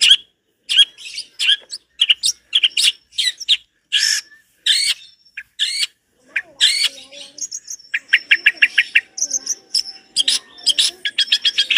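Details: A vigorously singing long-tailed shrike delivers a lavish mimicry-filled song: clusters of sharp scratchy notes with short pauses, then a steady run of quick chattering notes and thin high whistles.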